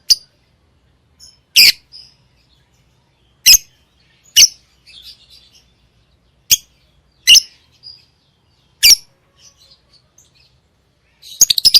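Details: Lovebird chirping: sharp, shrill, high-pitched chirps spaced a second or two apart, with short quiet gaps and a rapid burst of chatter at the end.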